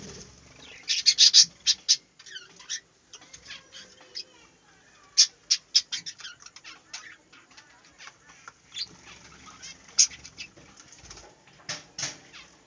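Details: Budgerigars kept in a small aviary: bursts of sharp, high chirps and clicks come in uneven clusters, loudest around the first and sixth seconds, with quieter scratchy chatter between them.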